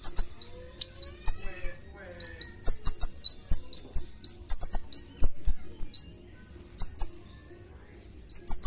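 A sunbird pours out rapid, very high, thin chirps and sharp tweets in quick bursts, with short pauses between, over faint low background hum.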